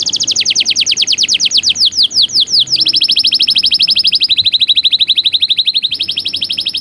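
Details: Lively canary song for training young birds: quick repeated high slurred notes that speed up, then long even trills stepping down slightly in pitch, repeated many times per second.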